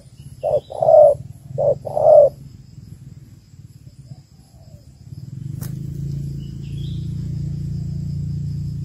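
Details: Female spotted dove calling to stimulate males for trapping: one pair of low coos, a short note then a longer rolling one, early on, followed by silence and then a steady engine-like rumble.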